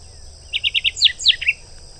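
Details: Song of a Rusty sparrow (Aimophila rufescens): four short even chips, then a few louder, sharply falling whistled notes, over a steady high insect whine and low background rumble.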